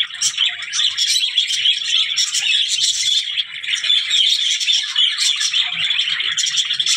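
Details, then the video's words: Pet budgerigar giving a steady, bright warbling chatter of rapid chirps and squeaky twitters, continuous for the whole stretch with brief louder peaks, no other clear sounds. "birds voice #trending #budgie"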